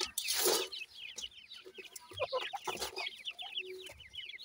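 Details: Grey francolin chicks, called Sindhi gora teetar, feeding; a loud rustling burst opens, then a row of short, high, evenly spaced chirps continues, with some lower clucking notes mixed in.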